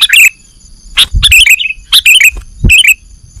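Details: Lure recording of sooty-headed bulbul for trapping birds. Short groups of warbling, slurred chirps come about once a second, with a low thump beneath some of them.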